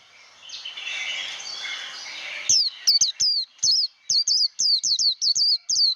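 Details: Wild-caught white-eye singing the 'líu đấu' competitive chattering style, used for voice training; after a soft hissing start, a rapid run of high, looping, slurred whistles repeats about three times per second.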